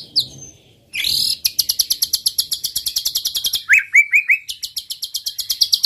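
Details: White-rumped shama song, played to provoke rival males into singing: dense runs of rapid high repeated notes with a sharp whistled opening, then a quick series of four lower descending slurred notes before the fast high rattling resumes.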